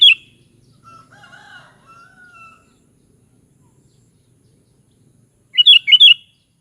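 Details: ['Sooty-headed bulbul ending one phrase, then a fainter lower drawn-out call with harmonics, then quiet before a clear bubbly three-note whistled phrase near the end.']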